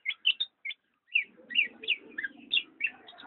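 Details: Black-naped oriole giving short, sharp downslurred chirps in quick bursts, then a pause and a longer run of bright, rising-and-falling notes over a faint low hum.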